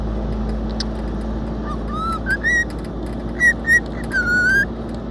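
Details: A pet cockatiel, happy to be out on a trip, whistles the national anthem in clear notes, some sliding upward and some held, over a steady vehicle engine hum.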